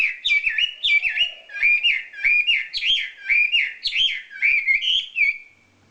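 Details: Champion wambi bird singing a tutor song: rapid, repeated chopped whistled phrases, each a quick rising-and-falling slur, in a steady run of about ten bursts with short gaps, bright and clear against a quiet background.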